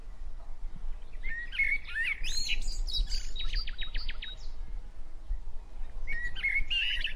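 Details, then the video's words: Wild-sounding bird chirping brightly in short phrases, with a quick run of sharp, evenly spaced ticking notes in the middle and more high chirps near the end, over a steady low rumble. "Gajah, sapi, anjing, ayam, babi, burung - Suara binatang"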